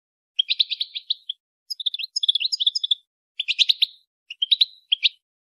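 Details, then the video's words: A female European goldfinch twittering to stimulate a male into mating: fast runs of bright, tinkling chirps delivered in five tight bursts, clean and high-pitched, with nothing else audible. "بتبتة انثى حسون لتحفيز الذكر على التزاوج"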